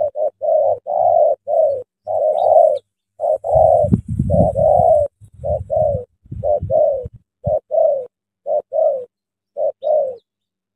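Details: Tame decoy spotted dove cooing in early morning to lure a large wild spotted dove into a trap in Vietnam: mellow low coos in short paired phrases, about one per second, with a rumbling handling noise midway.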